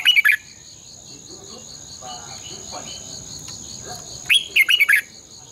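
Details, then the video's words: Red-whiskered bulbul, decoy song for training caged birds to sing in the morning, long twisted double-voice style: a quick warbled burst opens, then after four quiet seconds a longer phrase of bright slurred whistles, under a constant high whine. "luyện chào mào hót sáng 2020 - Giọng kép xoắn dài Quá hay hót căng lửa"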